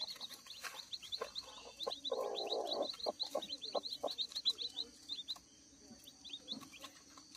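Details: Dense, busy chorus of shrill peeps from day-old kampung chicks just out of the egg on a farm. Notes tumble out quickly and unevenly, with a short burst of rustling handling noise partway through.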